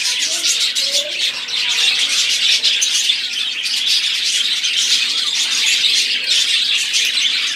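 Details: Several budgerigars sing at once: a steady, busy warble of chirps, clicks and whistles, growing slightly denser toward the middle and staying constant to the end.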